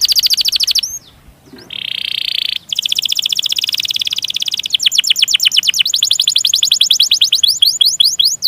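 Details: Long canary roll for stimulating other canaries: fast high trills, a brief gap, a buzzy sustained roll, then long runs of rapid descending chirps.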